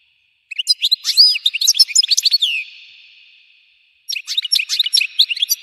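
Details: European goldfinch giving its intense 'explosion' (tafjir) song: rapid bright twittering of sharp chirps and buzzy notes in a dense burst, a brief pause, then a second fast twittering phrase.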